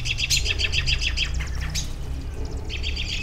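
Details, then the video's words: Birds outdoors, with a rapid run of bright, high chirps repeated about four times a second, then a single sweeping note and a second burst of chirps near the end, all over a steady low rumble. "Bird Sounds"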